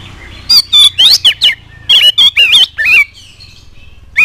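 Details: Loud oriental magpie-robin song played to make other birds reply: quick sequences of harsh chips and twisting whistled notes for about two and a half seconds, then a soft trill and one closing note.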